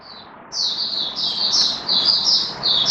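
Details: Kept oriental white-eye singing in build-up form, recorded 19 September 2022: after a short soft opening note, a continuous high, thin warbling run of slurred whistled phrases, slightly rising and falling, with a faint background hiss.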